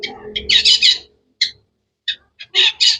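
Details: Long-tailed shrike producing harsh, squawky bursts of chirps with brief single notes between; low rumbling noise at the start.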